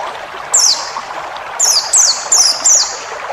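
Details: White-eye song used as a tutoring recording for cage birds: five thin, high, downslurred whistled notes, first alone and then four in quick succession, over a steady hiss like running water.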